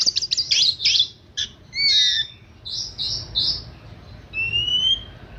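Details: Oriental magpie-robin in pampered 'manja' style: rapid harsh chatter and burry notes, then a long thin rising whistle near the end, with constant low hum.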